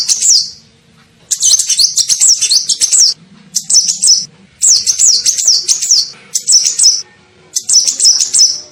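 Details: Lure call of a sunbird known as kolibri ninja, used to attract birds. About six bursts of rapid, piercing twitters with warbled whistles come in steady succession.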